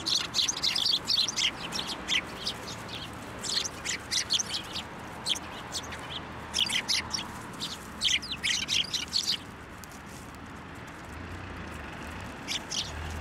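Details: Sparrows flying onto a person's hand to take food at a Tenmangu shrine, recorded 8 December 2023: bursts of short, high chirps in quick irregular clusters, pausing near the end, over steady background noise.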